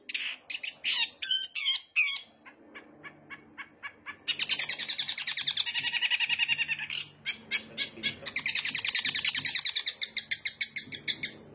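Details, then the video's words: Long-tailed shrike in full song filled with bar-winged prinia mimicry: squeaky varied notes giving way to long runs of rapid, evenly repeated ticking chips and buzzy trilled passages, in a quiet setting. "Cendet Gacor isian CIBLEK"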